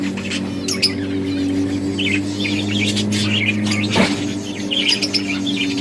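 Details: Breeding budgies at play give scattered short chirps and twittering notes, with one sharper louder call near the middle, all above a constant low droning hum.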